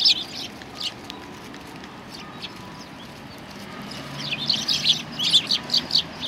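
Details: Sparrows approaching to be fed at a Tenmangu shrine, late November 2020, with a few high chirps, a quiet stretch, then a busy burst of rapid chirping at the end.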